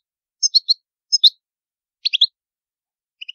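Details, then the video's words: Goldfinch in the old Palermo Sicilian singing style, recorded without background noise for training young birds: sparse, clipped twittering notes in small clusters of two or three, separated by short silences. "CANTO DEL CARDELLINO DI PALERMO SICILIANO"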